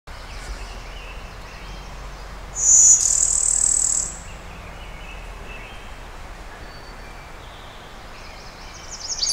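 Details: Brewster's Warbler, a Blue-winged and Golden-winged warbler hybrid singing Blue-winged-type song, recorded on a cloudy May 20, 2011 at Oil Creek State Park, western Pennsylvania, with an external stereo microphone: one flat, dry high buzz over steady background hiss.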